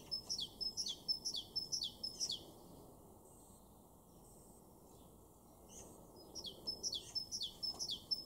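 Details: Two bouts of Great Tit song from a garden in Weener, East Frisia, northwest Germany, April 2023. Piercing, rhythmic two-note phrases fill the opening seconds, give way to a quiet pause, then resume near the end.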